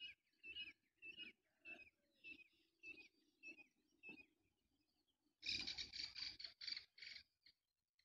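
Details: Black francolin giving a series of harsh, grating notes about twice per second, then a louder, denser burst of repeated scratchy notes near the end, with faint low background noise.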